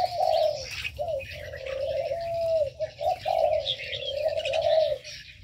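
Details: Birds in an aviary giving long, mellow low coos that swell and fade in drawn-out phrases, with scattered thin chirps and twitters sounding faintly higher up.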